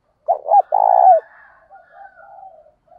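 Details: Spotted dove call for luring and challenging wild doves in training. One phrase of two brief hollow notes runs into a held coo that dips at the end, followed by faint distant twitters.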